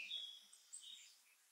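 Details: A Shining Sunbeam hummingbird in Los Nevados National Natural Park, Colombia, gives a few faint, high, thin chips and squeaks in under two seconds, over a soft hiss of background noise.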